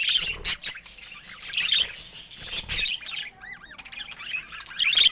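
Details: Busy twittering from colorful domestic budgerigars: harsh chirps and squeaks, then a few clear whistled up-and-down notes after three seconds before the scratchy chatter resumes.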